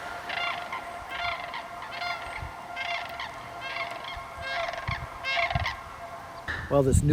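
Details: Sandhill Crane pair at Sax-Zim Bog, northern Minnesota, early morning of April 25, 2024, around 25°, turn alert and give loud rolling, rattling bugles about once a second as another pair flies in; wind rumble, louder sound at end.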